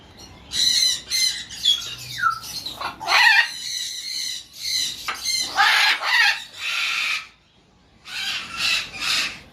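Green-winged macaw giving loud, harsh, raspy squawks in irregular bursts, with a brief descending screech and short pauses between calls.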